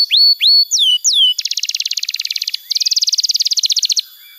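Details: Canary tutor song used as therapy for young birds that will not sing. Four clear looping whistles are followed by two rapid, even staccato rattles, high and bright.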